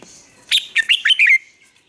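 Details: Red-whiskered bulbul singing in the morning, used as a lure song for training birds: a quick burst of five loud, warbled whistled notes sliding up and down, each short and bright, delivered within about one second.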